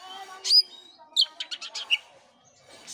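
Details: Oriental magpie-robin song played to encourage an inactive caged bird: one loud sharp note, a pause, then a fast burst of five rasping chips ending in a short whistle.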